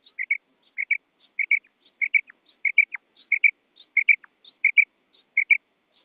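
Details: Female quail giving a steady series of paired, whistled chirps, each pair repeated roughly every 0.6 seconds for six seconds, with faint higher ticks and occasional brief downward slurs between pairs against a silent background.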